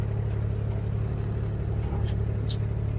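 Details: A steady low vehicle engine rumble fills the recording, with no animal calls.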